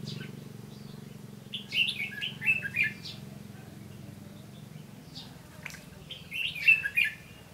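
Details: Red-whiskered bulbul at a trap with a lure bird, 15 June 2016, giving its fighting song: two brief bursts of lively, warbled whistles separated by a quiet pause, over a steady low background hum.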